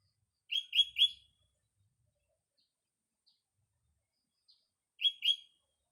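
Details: Sooty-headed bulbul in the morning: two bursts of three quick, bright, ringing notes with harmonics, the first near the start and another about four seconds later, separated by near silence with a few faint ticks.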